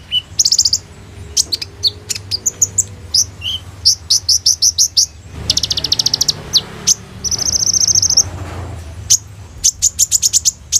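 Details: Energetic high-pitched song of a sunbird, phone-recorded for use as a training lure: fast sharp chips, rattling trills and a sustained buzzy high trill midway, dense repeated notes throughout, with low rumbling background noise.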